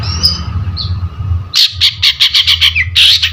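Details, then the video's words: Long-tailed shrike: after a quiet start with faint high whistles, a fast chattering run of harsh rasping notes, about eight in just over a second, then a longer scratchy burst, over low hum. "CENDET GACOR || PANCINGAN BUNYI"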